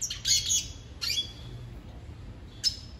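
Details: A red siskin singing and dancing with a female gives short bursts of high, scratchy twittering, three quick phrases over a few seconds, with a faint low hum underneath.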